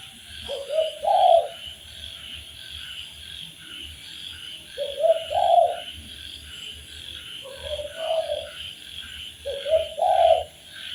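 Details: Spotted dove master recording for training kept birds: four low cooing phrases spaced several seconds apart, each a short hoot and a fuller drawn-out coo, against a constant shrill hum and faint rustling.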